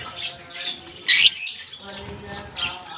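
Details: A single loud, harsh, high chirp stands out from a lovebird colony's steady twittering; the birds had just been released into the colony in Germany for summer.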